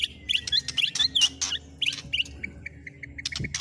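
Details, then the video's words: Short burst of white-rumped shama song with imitated fillings of speed cililin, canary and lovebird: high chirpy twittered notes and clicks over a steady low hum. "Burung Murai Batu MU KURANG GACOR., BONGkar Isian speed cililin, kenari, love bird Dll..!"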